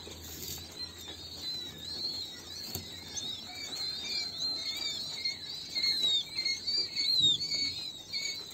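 King quail chicks give a steady stream of thin, high, overlapping peeps, several birds calling at once, growing louder toward the end; faint rustling underneath.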